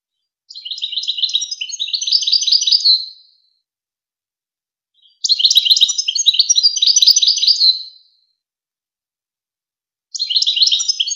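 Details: European goldfinch in full Wakr Touzgha song, as played to train chicks and hybrids: long, rapid, tinkling twittering runs of about two and a half seconds, packed with quick high notes, separated by pauses.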